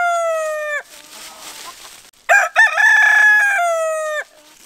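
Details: Rooster crowing as a wake-up alarm: the end of a crow's long falling note, a stretch of faint background rustle, then a full crow with choppy opening syllables and a long sustained, slightly descending finish.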